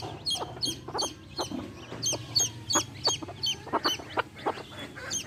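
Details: A hen with baby chicks: quick, shrill chick peeps repeated about three times a second, interleaved with short, lower hen clucks.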